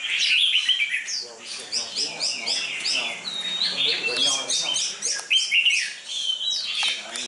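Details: Competition red-whiskered bulbul, dark-bibbed and thin-feathered, sings a busy stream of high chirps and warbled notes, accompanied by a faint lower voice-like murmur.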